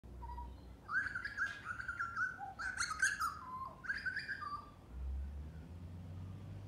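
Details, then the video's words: An Australian butcherbird sings rich, fluting whistled phrases around mid pitch, several linked notes in two or three bursts, with low rumbling background noise. "Australian Butcher Bird sining Australijski ptak spiewa"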